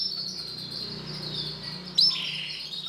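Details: Male canary with yellow and black colouring singing a steady, high, continuous rolling trill that brightens with a sudden sharp note near the end, over a low background hum.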